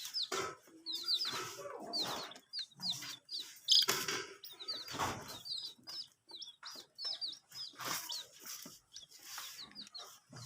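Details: Chicks drinking water peep steadily in high, thin, falling chirps, several each second from a small group, over scattered clatter and pecking noises.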